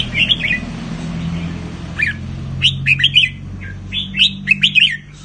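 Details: Red-whiskered bulbul, a Thai cage bird valued for counted song phrases, giving a few quick whistled phrases of rising and falling notes in clustered bursts, separated by short gaps; faint low hum behind.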